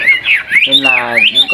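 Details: Caged Chinese hwamei giving short swooping whistled notes, rising and falling, over a brief harsh buzzy sound.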